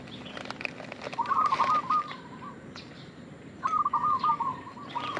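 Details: Local zebra dove lure call: two bright, trilling coo phrases about two seconds apart. Sharp clicks and rustling, like wing flaps or handling, crowd the opening seconds.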